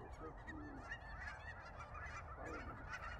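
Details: Cackling geese arriving in waves to land at Billy Frank Nisqually National Wildlife Refuge, February 2023, with perhaps a few Ross's or Snow Geese; a busy wash of high cackling honks from many birds over low rumbling background.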